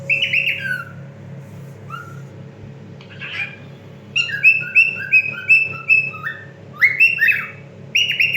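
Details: A male cockatiel sings a run of bright, repeated whistled notes, some rising and some falling, to attract a female's attention while she eats.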